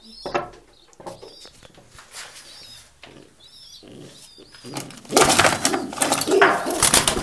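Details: Homing pigeons: high, thin, curving peeps repeated several times, with soft cooing, then loud flapping and clattering wings filling the last two seconds.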